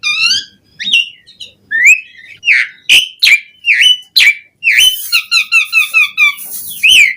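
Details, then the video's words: Asian pied starling in full song, delivering varied whistled phrases: upslurred notes, sharp clicks and a rapid run of repeated chattering notes near the end, all loud and close. "Suara Jalak Suren Gacor Auto Bongkar Isian Variasi Buat Pancingan Burung Jalak Agar Gacor Full Isian"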